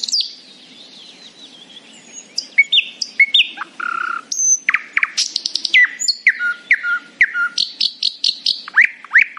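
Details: Nightingale singing happily in the morning: a varied run of sharp whistled notes, clicks and pure tones at changing pitches, ending in quick repeated chirps.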